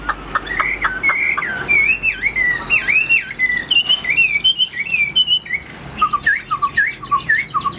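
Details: Tame caged Chinese Hwamei, about 95% tamed and offered for sale, praised for a very good voice: loud, varied whistled song with slurred rising and falling phrases, shifting to lower looping notes near the end.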